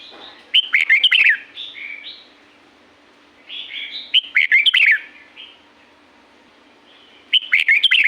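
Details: Song of a red-whiskered bulbul from Pa La-u forest, Thailand, with loud, chattering whistled phrases answered by softer, mellower notes, a long pause in the middle, then a fresh phrase starting at the end.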